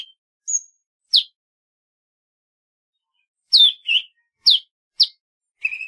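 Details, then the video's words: Golden-fronted leafbird: a thin high whistle and a sharp chip, a long silence, then a quick run of falling notes and a steady mid-pitched tone to close. "tiếng chim thanh tước | CHLORROPSIO AUKiFRONT"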